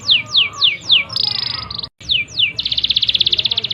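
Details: Canary in full song, meant to stimulate other canaries: four falling sweeps, a rapid buzzy trill, a short gap, two more sweeps, then a loud fast rattling trill to the end.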